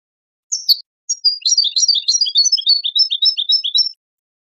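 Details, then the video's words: Goldfinch song played for training songbirds and stimulating breeding: a quick run of high, twittering, chirping notes delivered at a fast, uneven pace for about three seconds, with no other sounds. "improving goldfinch singing skills exercises and training"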